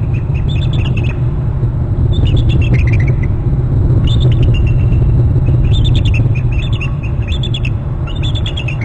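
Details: Two eagles at a nest on Hornby Island, both calling and trilling as the father arrives. High, chittering, descending call series come in bursts roughly every one to two seconds over a steady low rumble of wind or traffic.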